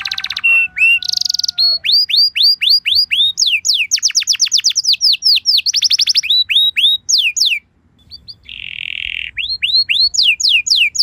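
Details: Canary lure song, called a luxurious song, played to prompt other canaries to answer: fast rolling trills of rising and falling whistled notes, a buzzy rattle, repeated upswept chirps, a brief pause near eight seconds, then more upswept notes.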